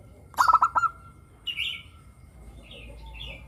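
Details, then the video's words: Zebra dove of the local perkutut type, singing in a clear 'crystal' voice used as a lure for other doves. One burst of rapid pulsed cooing notes, followed by a short higher chirp from another bird. "perkutut lokal gacor suara kristal - pancingan perkutut agar bunyi"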